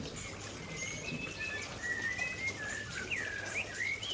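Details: Aceh white-rumped shama near a waterfall: clear, drawn-out whistles, some level and some sweeping up and down in loops, given at a relaxed pace over rushing water.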